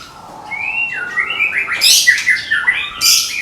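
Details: Medan-type white-rumped shama, caged and prepared for contest, sings sliding whistles that build into loud harsh high bursts and quick chopped notes.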